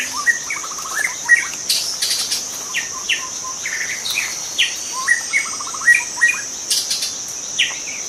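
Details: Wild juvenile White-rumped shama from forest, repeating a phrase of quick stuttered notes ending in bright whistles several times, with a shrill insect drone and occasional hissing bursts in the background.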